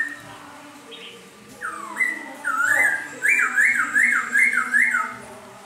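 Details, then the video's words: Laughingthrush singing in the rain: clear whistled slurs rising then falling, followed by a quick run of about five wavy, looping whistles, over a steady hiss of background noise. "Khướu mun hót trời mưa"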